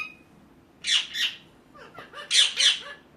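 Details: Two pairs of rough, noisy screeches from a ringneck parakeet, with faint short tonal chips between them over a low background hiss.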